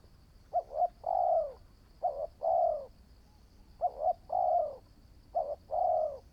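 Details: Spotted dove, a new decoy bird taken out for training that shows promise, cooing. Four phrases about every one and a half seconds, each with two short clipped coos and a longer, fuller, slightly falling coo. The background is quiet with a faint steady hiss.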